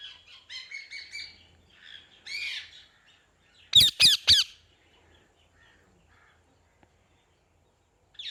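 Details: Parrot murmuring soft, scratchy chatter before a burst of three sharp, loud squawks close together, followed by a long quiet stretch and one last short call at the end.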